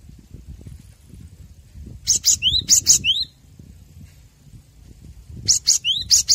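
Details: Master recording of cinereous tit song for training captive birds. Two bursts of buzzy high notes interleaved with rising whistles, with a pause between bursts and soft low background noise.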